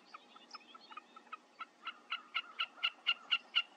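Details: A Wilson's snipe sings a steady series of sharp, doubled notes, about four per second, that grow louder toward the end.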